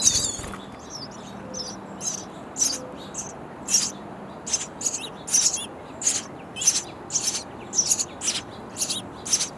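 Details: Nestling sparrows in a bird house begging their parents for food; a rapid series of about fifteen high, scratchy chirps, speeding up and growing denser toward the end, preceded by a few thinner twittering notes.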